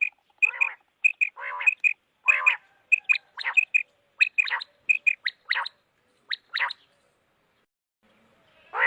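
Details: Common quail giving rapid short pips, often in pairs and triplets, alongside harsher harmonic notes and quick rising sweeps, then a pause and a loud rough note at the end.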